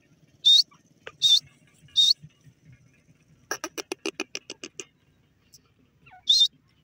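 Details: Grey francolin, known locally as irani teetar, calling: three loud, shrill, high-pitched bursts about 0.7 seconds apart, then a rapid run of about ten sharp clicking pulses, and one final shrill burst against quiet low background hum.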